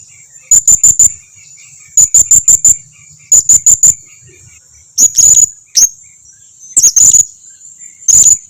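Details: Blue-crowned hanging parrot lure call meant to prompt replies: quick bursts of four very high sharp chips repeated in series, later mixed with short buzzy trills.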